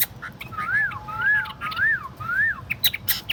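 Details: Tame caged Chinese hwamei sings softer, repeated arched whistles, rising then falling, about one every half second, followed by a few sharp clicks and high notes.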